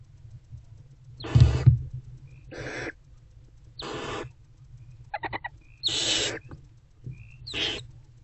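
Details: Barn owl mother and older owlet in their nest box, early morning of 20 February 2024; six rough, noisy hisses at uneven spacing, one broken into rapid stuttering pulses, with a low hum throughout.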